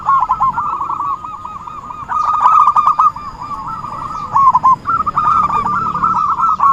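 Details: Zebra dove lure call for trapping: an almost continuous stream of fast, rolling staccato coos at an even pitch, with phrases running into each other and only short breaks.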